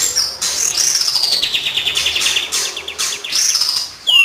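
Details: Kapas tembak song used as a lure for training birds: dense, high chattering with fast repeated notes and long descending whistled slides, a sharp rising whistle at the end.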